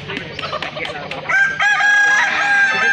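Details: Balenggek roosters at a crowing festival in Kota Solok. Short clucks and scattered notes lead into a loud, sustained crow with a steady high tone, while other birds crow behind it.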